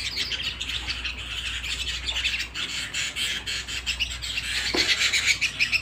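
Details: Canary kept at home giving a steady stream of high twittering notes and short trills, with a few sharper whistled notes toward the end, over a low indoor hum.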